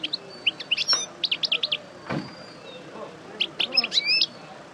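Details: Caged European goldfinch of the Parva type, just out of moult, giving scattered high chirps and twittering notes in short bursts with gaps, a soft thump partway through, then a renewed twittered flourish.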